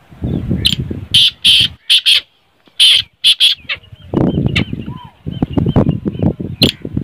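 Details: Black francolin giving a run of loud, harsh, rasping notes in two clusters, repeated with short gaps, over heavy low rumbling and handling-like noise, with faint thin chirps between.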